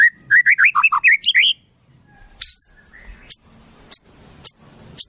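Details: White-rumped shama filled with wild-bird imitations: a quick series of rich warbled whistles, a pause, then single high thin piercing notes repeated about every half second.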